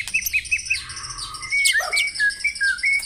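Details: White-rumped shama song for the morning dew-airing routine, played to prompt caged birds into full song: short rising whistles, then a long swelling note and a run of bright slurred phrases with high chips.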